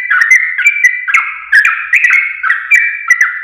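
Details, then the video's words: Trucuk singing for training caged birds: dense, bright whistled phrases with quick downward slurs, packed closely with almost no pauses over a few seconds. "Masteran Burung Trucuk Paling JOSS, Langsung Pada Ikut Ropel"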